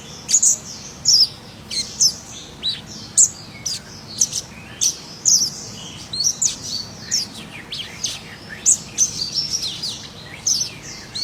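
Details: Wild scarlet minivet in full song, giving sharp, high-pitched chirps and brief whistled sweeps in spaced bursts about every half second to one second, over a quiet low hum.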